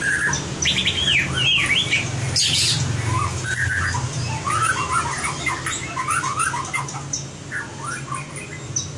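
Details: White-rumped shama singing in competition style for voice training: looping whistled phrases and chattery warbles, falling somewhat softer toward the end.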